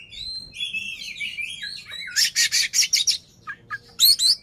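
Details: Oriental magpie-robin (kacer) performing with tail fanned, its singing meant to provoke rivals: sweeping slurred whistles rising and falling, then a fast run of dense buzzy notes, ending with sharp high chips and squeaks.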